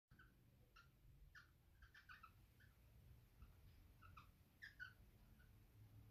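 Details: Female cockatiel wanting to mate, giving soft, short, husky chirps in irregular bursts of one to three notes, some rising slightly, spread across six seconds over a steady low background hum.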